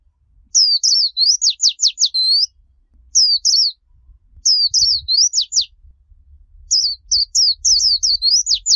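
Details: Japanese white-eye singing in the 'líu choè' style, a clean tutor recording for teaching young white-eyes: bursts of high, quick whistled slurs, then runs of steep downward-swept notes, separated by short pauses.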